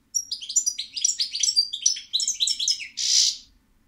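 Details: European goldfinch song, known locally as stiglica: a dense, fast twittering of high, tinkling notes and slurred chirps that runs unbroken for about three seconds and ends in a short buzzy burst.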